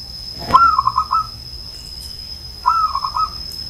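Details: Two clear rattling coo phrases from an old zebra dove from Banyumas, each a quick string of mellow notes lasting under a second, with a sharp click at the start and a steady high tone.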